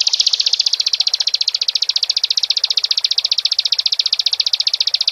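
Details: Bar-winged prinia in full song, a continuous fast trill of bright high chips repeated very regularly throughout, with quiet background.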